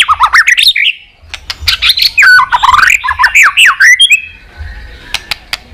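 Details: Pet white-rumped shama song meant to stimulate other shamas: rich fluting whistles swooping up and down in quick succession, mixed with dry clicks and a sustained thin note near the end, a low hum beneath.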